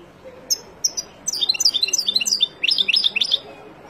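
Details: Song of a wild European goldfinch meant to teach young birds: a few separate sharp chips, then a fast tumbling sequence of clear, high twittering notes and liquid trills in two close phrases.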